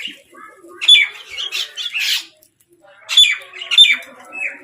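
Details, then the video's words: Crows fighting over food give harsh, raspy squawks in two loud bursts separated by a short silence. Each burst holds several grating calls with sharp, screechy peaks. "Crows fight for Food | Crow Sound"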